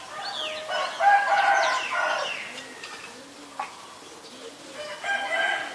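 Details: Green-billed malkoha calling in rough, croaky, harmonic bursts for about a second, pausing, then a shorter harsh burst near the end, with faint thin chirps from other birds underneath.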